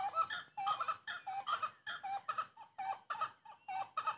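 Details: Rapid, rhythmic cackling of a grey-cowled wood rail, harsh nasal notes with thin whistled overtones, delivered in an almost continuous run of about two notes per second.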